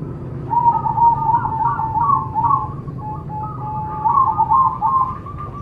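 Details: Zebra dove (perkutut) song, a kept songbird's recording used to stimulate other doves to sing: rapid, trilled, bubbling cooing phrases in a mid-pitched band, rising and falling in bursts, with low background hum throughout.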